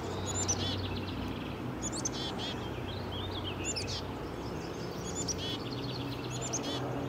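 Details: A black-capped chickadee (Poecile atricapillus) on a perch beside a public walking trail in Woodstock, Ontario, gives brief, thin, high chirps in short bursts every second or two, over a steady low rumble.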